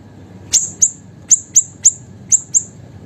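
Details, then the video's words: A small, actively singing siri-siri bird, used as a master for songbirds, gives seven thin, piercing high chirps in three seconds, in pairs and singles with short gaps, over a quiet low hum. "BURUNG SIRI-SIRI KECIL GACOR COCOK UNTUK MASTERAN DAN PANCINGAN SEGALA BURUNG KICAU"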